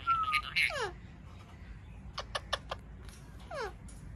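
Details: Indian ringneck parrot kept as a pet, locally called Kashmiri Raw parrot: a brief flat whistle, then a falling slurred note, a run of short clicks, and another quick downward slide.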